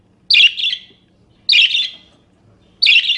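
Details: Budgerigar giving harsh, scratchy double-pulsed chirps roughly every 1.3 seconds, three in all, recorded for teaching other caged birds to sing.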